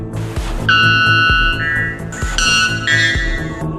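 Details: A white bellbird gives loud, ringing metallic notes, each stepping up to a second higher tone, heard twice over a thumping music track.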